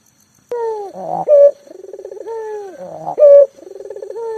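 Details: Local collared dove recorded as a lure to make silent doves call: after a brief quiet start come drawn-out descending coos, a loud clear note, and a quavering, pulsed trill, repeated twice.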